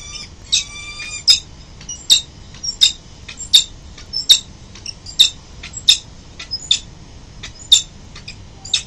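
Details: Peregrine falcons, a mother and father arriving home at their city-building nest early in the morning, November 2024: sharp, high, squeaky calls repeated about every 0.7 seconds, some carrying thin tonal overtones, in a quiet, slightly roomy setting.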